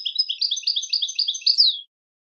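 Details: Song of a European goldfinch used to train birds to sing on command: a rapid, even run of about ten liquid twittered notes ending in a downward slurred flourish, then silence.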